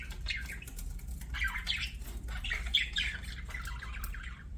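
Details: Budgerigar chirping softly, scattered squeaky chatter and brief raspy notes over a constant low background hum.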